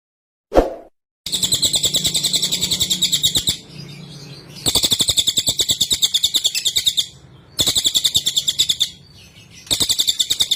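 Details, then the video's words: Cililin (Sunda whistling thrush), recorded as a training recording for caged birds: loud, high, buzzy pulsed chatter in three long bursts of rapid beats, about six per second, separated by short quiet gaps, after an opening click. "Masteran Suara burung cililin"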